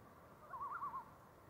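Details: Common loon on Cheakamus Lake, Whistler, British Columbia, 28 July 2018, giving a short wavering tremolo, a rapid quavering laugh lasting about half a second over faint background hiss.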